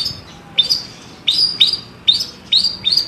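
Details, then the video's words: Long-tailed shrike of Java giving clear, lively song: short high notes that rise sharply, repeated in pairs every half second or so. "Kicauan terbaik cendet Jawa gacor full isian jernih"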